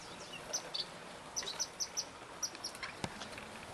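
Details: Finches in a home aviary shared by zebra finches, Gouldian, star and shaft-tail finches, canaries, king quail and diamond doves: short high chirps come in quick irregular bursts, about a dozen in under four seconds, over a steady background hiss.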